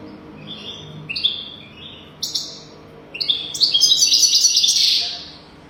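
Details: Singing European goldfinch, played to teach young goldfinches to sing: scattered high chirps and short whistles building into a dense, rapid tinkling trill near the end.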